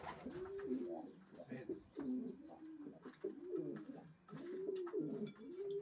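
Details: Several racing pigeons cooing steadily, with overlapping swelling-and-dropping coos less than a second apart and faint high chirps over the top.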